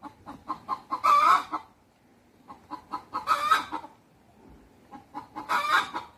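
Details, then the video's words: Rooster and hens communicating at a natural history museum alongside white peafowl: bursts of quick clucking each rising into a loud harsh squawk, three such bursts separated by short quiet gaps. "떠드는 닭들(Communications of The cock and The hens)"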